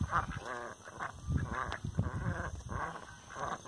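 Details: Rouen ducks kept at a breeding farm give a steady series of nasal, raspy quacks, each short and harmonic-rich, coming about twice a second and overlapping, with faint background noise.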